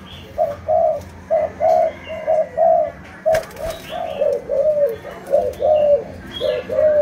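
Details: Kept Malaysian spotted dove cooing repeatedly, roughly once a second: short mellow notes in pairs and threes, some slurred downward, with a single sharp knock midway and faint chirps of other birds.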